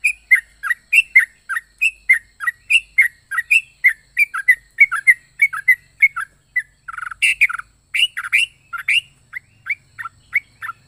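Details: Long, steady series of short bubbly chirps from a yellow-vented bulbul, about two per second, rising to a louder, richer burst midway before the even rhythm returns; an unusual, varied song.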